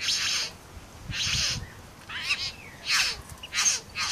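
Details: Southern Highlands satin bowerbird male courting his female with dance and imitations of other birds, giving wheezy hissing bursts mixed with short whistled slurs and chattering notes in an uneven series.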